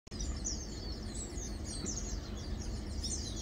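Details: Lowland white-eyes (Zosterops meyeni) at Matang Dulong, recorded 2 August 2022, give high, thin chirps in quick overlapping bursts, like several birds calling at once, over a steady low rumble of background noise.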